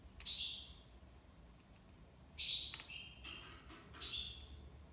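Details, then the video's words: European goldfinch from Algiers, Algeria, singing tiwawati: a buzzy held note, a pause, then a louder note followed by lower steady tones and a final bright buzz. "مقنين تيواوطي ليبساد الله يبارك / chardonneret tiwawati"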